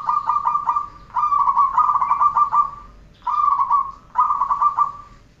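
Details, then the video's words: Zebra dove training recording: repeated phrases of rapid, rolling trilled cooing notes, each phrase about a second long with short gaps, clear and dominant over low background hum. "Masteran perkutut 1 jaman"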